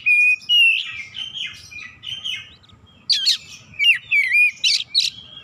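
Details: Oriental magpie-robin, said to be a reluctant singer prompted into full song, giving clear sustained whistles followed by a quick run of sweeping, twisting notes and scratchy phrases, with a soft low background hum.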